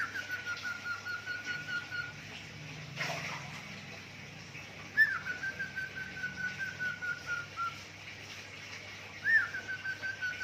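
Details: Budgerigar kept as a singing pet, copying zebra dove and gecko sounds: long, soft, pulsing whistles on a level pitch, broken by a brief noisy burst, then upswept notes leading into further steady whistled runs.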